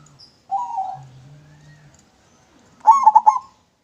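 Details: Local zebra dove singing, meant as lure audio: one smooth coo, a pause with a low hum, then a quick staccato burst of bubbling coo notes.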